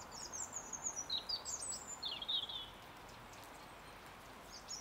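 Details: A European serin (Serinus serinus) at Ljubljana Botanical Garden, Slovenia, 18 January 2023, gives a quick run of very high, thin, jingling twitters for about two seconds, then one faint note later, over a steady background hiss.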